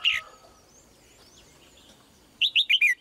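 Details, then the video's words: Female red-whiskered bulbul singing: one short warbled note at the start, a pause, then a quick run of four bright, slurred whistled notes at the end. "นกหัวจุก birds - เสียงนกร้องตัวเมีย ร้องได้ไพเราะมาก ตัวผู้ร้องแรง"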